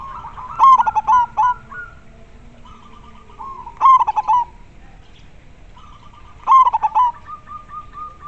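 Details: A local zebra dove with a clear voice sings steadily. Three rhythmic cooing phrases come roughly every three seconds. Each opens with rapid stuttered pulses and trails into a softer, sustained low coo.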